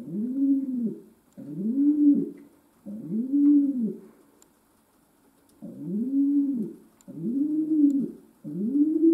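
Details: Pet domestic pigeon indoors in a small room, cooing in a series of low, rounded, swelling coos, each about a second long, given six times with short pauses, over a faint steady electrical hum.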